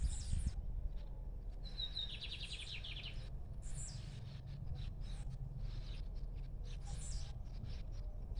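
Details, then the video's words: Lined seedeater singing freely outdoors: a short high whistle leads into a fast string of buzzy, repeated notes, framed by brief hissy bursts and a constant deep rumble. "Bigodinho cantando Solto"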